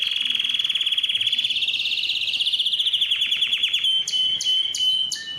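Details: Song of a yellow canary, a sustained rolling trill that swells slightly higher, slows into distinct falling pulses, then gives way to separate sharp chipping notes.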